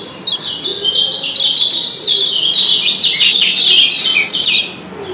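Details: Lombok white-eye (kecial kuning) performing doble ciak with calls traded back and forth: a continuous, loud, high-pitched run of quick tumbling chirps and twitters lasting over four seconds, then quiet.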